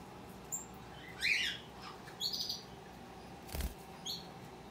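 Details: Hand-tame opaline rosy-faced lovebird chick, a young pet bird, giving a few short high chirps and squeaky notes with pauses between them, plus a brief thump near the end, over a quiet indoor background hum.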